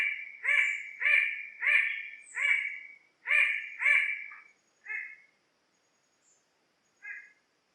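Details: Bird-of-paradise repeating loud, raucous nasal notes in a quick run of about eight, then two widely spaced quieter notes as the bout trails off into silence.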